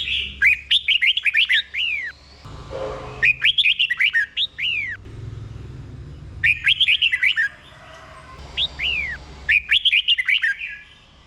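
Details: ["Doubled 'bern' style song of a Thai red-whiskered bulbul, delivered slowly and clearly for caged birds to learn: short bursts of fluty, looping whistles about every three seconds, separated by pauses with a faint low rumble."]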